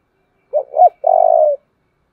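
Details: A spotted dove voicing a very strong 'thổ' style coo, kept as a decoy model for luring: two quick swelling notes followed by one long, buzzy, steady coo that fades slightly at the end, with silence around it.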